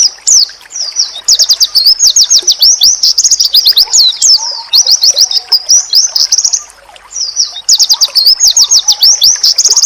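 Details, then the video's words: Oriental white-eye masteran song meant to make other white-eyes reply: long runs of fast, high, buzzy-edged chirps in dense chattering phrases, with two short breaks, and a faint low tone in places. "Sekali Lawan denger,Pasti Burung Pleci lain Auto nyaut"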